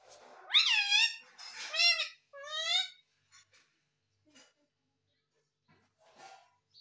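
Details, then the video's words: A talking parrot kept as a pet utters three quick, strident calls that bend upward then slide down, followed by several seconds of near silence broken only by faint soft clicks. "Talking Parrot"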